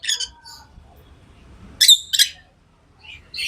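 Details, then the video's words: Pet lovebirds chirping: a few short, harsh, high squawky chirps, one burst at the start and two close together near the middle, with a fainter chirp at the end and quiet gaps between. "Love birds Sounds | lovebirds chirping sounds"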